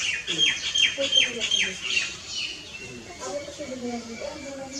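Common myna giving a run of sharp, whistled and chattering notes, quickly repeated, then lower gurgling and croaking phrases; some voices or other sounds murmur underneath.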